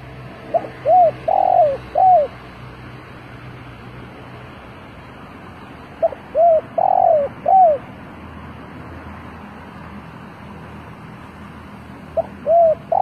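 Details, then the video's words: Decoy spotted dove cooing to lure wild doves: soft, low, hooting coo phrases of about four notes, given in three bouts roughly every five to six seconds, over a steady low background hum. "chim cu mồi gáy gọi bổi"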